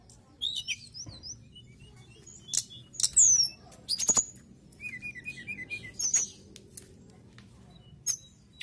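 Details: Mountain tailorbird singing actively: short high thin whistles and sliding notes, a brief run of quick repeated chirps near the middle, set between sharp clicks over a quiet low background hum.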